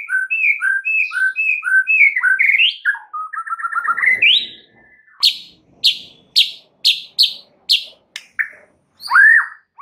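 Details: White-rumped shama (murai) song played as a prompting recording to get other birds singing, packed with fill phrases: paired whistled notes repeated rhythmically, a rising slurred run, then loud sharp separate chip notes and a final downslurred whistle.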